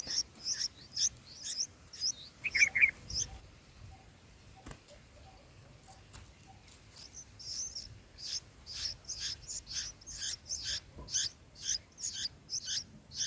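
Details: Baby bulbuls begging in their nest during feeding on the fourth day: bursts of shrill, high-pitched chirps, a brief pause with faint soft ticks, then another long run of quick repeated chirps.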